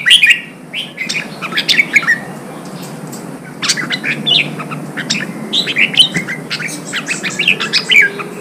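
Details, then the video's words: Red-whiskered bulbul singing, played to rouse wild-caught birds and train contest singers: dense runs of quick chirpy, warbling notes, several overlapping phrases, with a constant low background rumble. "Kích chào mào bổi hót, kích bổi sổ giọng, luyện chào mào hót đấu"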